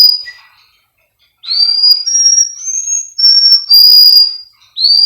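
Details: Training recording of a Russian canary singer kept by a breeder in Miami, Florida: after a short whistle and a second of silence, an upward-sweeping note opens a run of smooth, sustained whistled tones.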